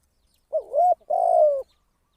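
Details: Spotted dove used as a decoy for trapping: a brief note, a rising coo, then a long steady, slightly falling coo, clear and alone.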